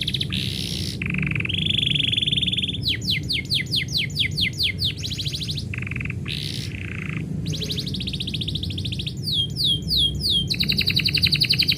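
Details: Canary singing as its owner gets ready to leave, a long varied song alternating buzzy trills, rolled trills and bursts of rapid descending whistled sweeps, ending in a dense fast trill.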